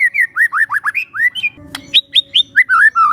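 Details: Young wild forest white-rumped shama singing a relaxed lure song: a fast run of clear, slurred whistles, some rising and some falling, then a brief click and a few higher, sharper whistled notes, ending in warbled phrases.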